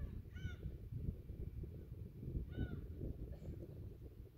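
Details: Gulls at Yedanpo harbour on Yeongjongdo, South Korea, on an evening at sunset by the tidal flats, 15 June 2023; two clear nasal, slightly downslurred cries about two seconds apart over steady low wind and harbour rumble.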